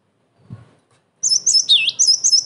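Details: Cinereous tit in full song, kept to lure and train other tits: after a faint low knock, a burst of piercing high chips alternating with one lower swooping note, repeated rapidly.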